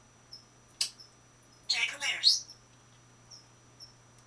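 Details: Jordan, a 21-year-old female African grey parrot (Psittacus erithacus), talking in April 2011: sharp click, then rasping speech-like burst of about a second, then two faint high squeaks over steady low hum; shares cage with other parrots.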